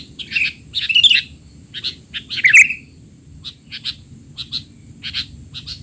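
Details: Excited, noisy sooty-headed bulbul calling used to train young bulbuls; loud chirps and a few squeaky bursts come first, then brief clipped notes repeated roughly every half second.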